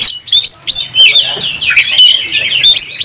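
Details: Oriental magpie-robin in full song, spreading its tail and ready to fight. The song is a loud, rapid flow of varied whistles, chatters and harsh notes with almost no pauses.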